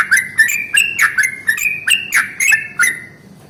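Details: Long rolling song of a yellow-vented bulbul in the morning, used to provoke rival bulbuls to sing. A rapid run of liquid, slurred notes, roughly three or four a second, with uneven spacing.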